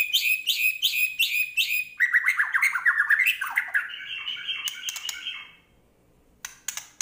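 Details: A Medan white-rumped shama (murai batu) in full song opens with four quick, harsh chattering bursts, then pours out a rapid run of varied whistled and buzzy phrases packed with borrowed notes.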